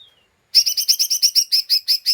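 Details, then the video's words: Agitated lesser green leafbird giving its 'ngeriwik' chatter, used to provoke other birds: a fast, high, scratchy series of about eleven evenly repeated notes after a brief faint whistle. "Pancingan Cucak Ijo Mini Cimin Malasa bunyi / ngeriwik / Emosi tidak stabil"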